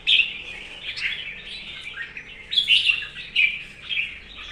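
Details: Red-whiskered bulbul in morning and competition singing, delivering bright, fluty warbled phrases in short bursts roughly every second, rising and falling quickly.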